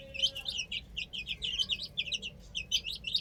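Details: Many chicks on a roof chirp loudly and almost without pause, their high, slightly descending peeps tumbling over one another in a lively chorus.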